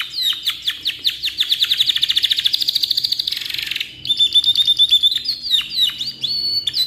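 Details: Canary in long tutoring song: a quick run of repeated chip notes speeding into a dense rolling trill, a short pause, then clear sustained whistles and sharp descending sweeps.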